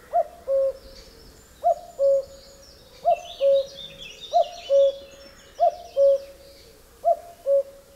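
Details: A male cuckoo gives its spring song, a mellow, falling two-note cu-coo, repeated roughly every one and a half seconds, while smaller songbirds twitter faintly behind.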